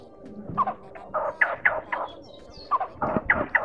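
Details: Male and female blue-bearded bee-eaters giving flock-gathering calls used for luring birds to traps; short harsh, guttural notes repeated in quick uneven bursts.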